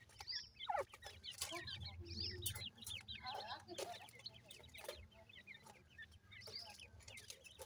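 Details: Grey francolin chicks call to their mother with rapid, high, falling chirps over a steady low hum, plus scattered clicks.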